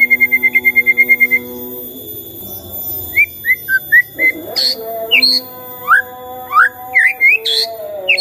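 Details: Morning White-rumped shama song played to get a silent shama singing: a quick run of repeated identical notes, then spaced short whistles and upswept notes over a constant humming background.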